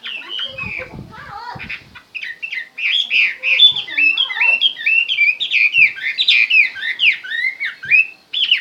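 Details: Chinese hwamei song: a continuous, fast-flowing warble of looping whistled notes that rise and fall, bright and varied, running without pause through most of the stretch after a softer start.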